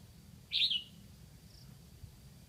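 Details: A Lạng Sơn decoy red-whiskered bulbul sings to draw in wild birds: one brisk, high, liquid warbled phrase, then quiet with a faint high note and low background noise.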